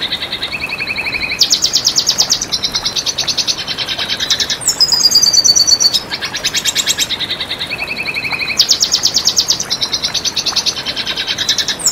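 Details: Red siskin song for training and luring birds: long, dense, buzzy trills alternating with lower twittered chirps. The same phrase sequence comes back after about eight seconds.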